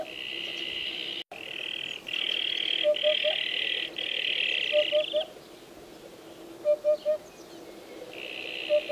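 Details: Hoopoe repeating its soft, low triple hoot several times at even intervals, while a loud, steady insect buzz starts and stops in long bouts across the background.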